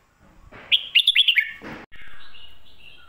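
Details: Red-whiskered bulbul, lak wai and mae bot song: a quick sequence of five rising, liquid whistled notes, followed by a brief rustling noise and a quieter drawn-out warble.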